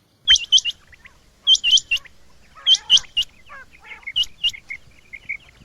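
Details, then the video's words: Male Rain Quails calling: sharp, high metallic notes given in quick pairs and triplets, each burst separated by about a second of quiet, with softer chattering notes between bursts. "Rain Quail (Coturnix coromandelica) - Males calling"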